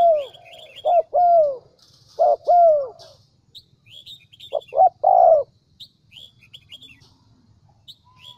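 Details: Central Highlands decoy spotted dove in Vietnam cooing irregularly. Short notes pair with longer falling croos in three bursts, the last closely clustered, while small birds chirp and twitter brightly throughout.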